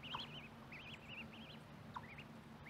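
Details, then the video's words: Mallard ducklings beside a microphone in corn give warbling, wavering high peeps strung together in quick runs, with a low steady hum underneath. "Mallard duck calls, baby duck calls"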